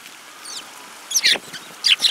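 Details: Short, bright chirps from a group of Eurasian tree sparrows, 30 December 2017, a faint note first, then a pair of louder clipped calls and another doubled chirp at the end.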